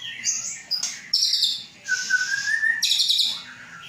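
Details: Captive White-rumped shama from Aceh, Indonesia, hatched 23 August 2012. High chattering notes give way to a loud buzzy trill, a long mellow low whistle underneath, and a final harsh high burst.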